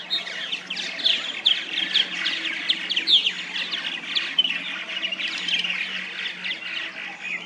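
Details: Purple martins at a backyard nesting colony in plastic gourd houses, St. Catharines, Ontario, Canada; many birds give a continuous overlapping chatter of rough chirps and squawky gurgles, steady and busy throughout, with a faint low hum.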